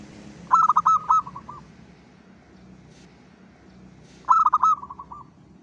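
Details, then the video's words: Local zebra dove singing actively at dawn, a lure song for other doves. Two cooing phrases sound four seconds apart, each a rapid run of soft, rolling, trilled coos that slow and fade at the end. A low hum runs underneath. "PANCINGAN SUARA PERKUTUT LOKAL GACOR SUBUH"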